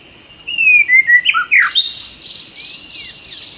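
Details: White-rumped shama in the wild, heard during trapping: clear whistled notes sliding down around mid pitch, then a quick run of richer rising and falling phrases, ending in soft drawn-out whistles over a faint insect hum.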